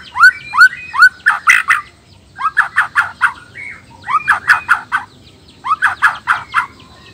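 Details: Male black-tailed white-rumped shama (murai batu) from Nias, singing to provoke rival males. Loud, rich phrases of rising whistled notes and sharp, buzzy bursts, repeated in quick clusters separated by short pauses.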